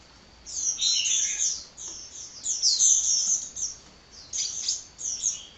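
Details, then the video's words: Hummingbird chattering continuously: after a brief quiet start, a busy jumble of high, sharp chirps and tinkling notes in clustered bursts, separated by short gaps, over light background hiss. "Kicau Burung Kolibri Ngocehnya Ngedyan Ra Leren Leren"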